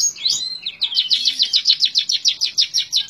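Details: Long-tailed shrike delivering continuous tembak ngebren song: a looping whistle opens into a rapid, steady rattle of sharp high notes, about six per second.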